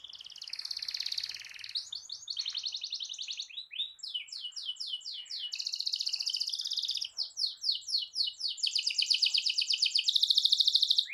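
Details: Canary performing a long, continuous rolling song intended to provoke other canaries, with buzzy trills alternating with runs of rapid sweeping notes, growing louder toward the end.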